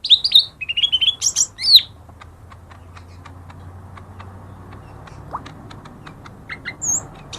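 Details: Lesser green leafbird song offered as a lure for silent birds: an opening run of quick, high twisting whistles and chirps lasting under two seconds, followed by soft ticks and a few scattered notes over low hum.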